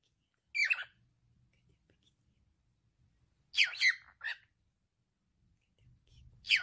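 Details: Male cockatiel at home produces speech-like chatter: isolated raspy syllables separated by quiet stretches, with a burst of three quick rough notes in the middle.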